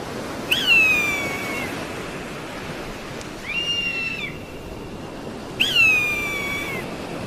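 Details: Three eagle cries over a faint hiss: a long descending whistled scream, a shorter arched whistle, then another long scream that falls in pitch.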